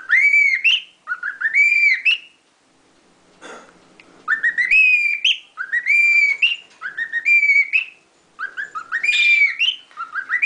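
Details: A pet lutino cockatiel whistles the human tune La Cucaracha in clear, bright phrases, each a quick run of rising and falling notes, repeated with a short gap midway.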